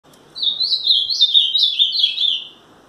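Ultramarine grosbeak singing one sweet, warbled phrase of about two seconds, its high notes swooping up and down in quick succession over faint background hiss.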